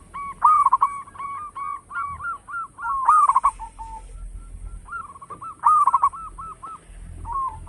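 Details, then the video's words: Local zebra dove in full, loud song, suited for use as a lure: quick runs of short, clipped cooing notes strung into rolling phrases, pausing briefly between bursts, over a faint steady high hiss. "Perkutut lokal gacor suara besar bikin gempar bunyi seteras cocok buat pancingan"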